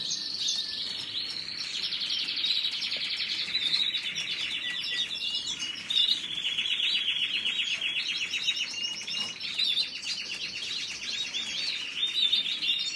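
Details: Canary song running without a break: dense, fast trills and chattering phrases, high-pitched, with sweeping notes layered over a steady rolling buzz throughout.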